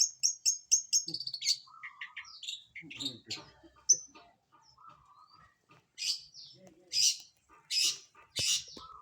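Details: Long-tailed shrike bathing in the morning, giving a busy run of high, sharp chirps and short buzzy notes, several quick repeated ticks at first, then scattered harsh bursts with brief pauses.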